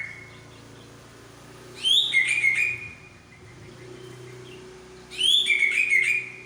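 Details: Medan-type white-rumped shama showing its imitated repertoire: two bright phrases, each a sharp high note dropping into a wavering whistled trill, several seconds apart over faint low background hum.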